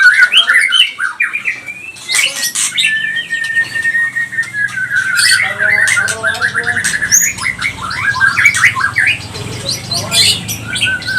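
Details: Lure song of a white-rumped shama of the pastol type for provoking rival birds: rapid rattling whistled phrases and sweeping notes, then a long series of quick repeated chirps, with a low hum underneath.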